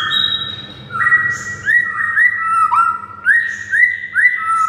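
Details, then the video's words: White-rumped shama song aimed at a silent shama: a repeated pattern of mellow whistled notes that jump up and slide down, given roughly every half second, lower in pitch than usual. "MURAI BISU SONTAK NAIK EMOSI DAN GACOR DENGAR MASTERAN MURAI SATU INI"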